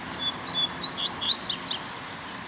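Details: Free-living black Double-collared seedeater singing a mexida-style song, recorded on the way home after a Sunday outing: a quick run of high thin whistles and sharp downslurred notes, about ten in two seconds, over faint background hiss.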